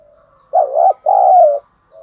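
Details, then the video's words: Spotted dove decoy, 'thổ sấm' voice, calling to lure wild doves in to fight: a soft lead-in note, then a loud two-part coo, a dipping note and a long level note, then a quiet trailing note. "Chim Cu Mồi Thúc Đấu Dùng Kích Bổi Nhanh Về Cội"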